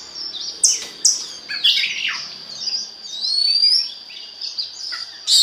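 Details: Oriental magpie-robin singing as a lure for other magpie-robins: sharp clicks and chirps, then a long rising whistled glide and scattered fluty notes above a constant high tone.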